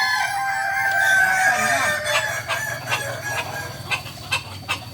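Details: Kukuak Balenggek rooster at a Sunday practice crowing contest in Ampangkualo, giving a long harmonic crow with stepped, wavering notes over the first two seconds, followed by sharp clapping bursts and crowd noise.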